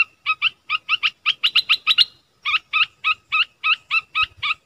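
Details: Streak-eared bulbul singing: a run of short bright chirped notes, about four per second, each with a sweeping upper note over a lower one. A brief pause comes after two seconds, then the same run continues.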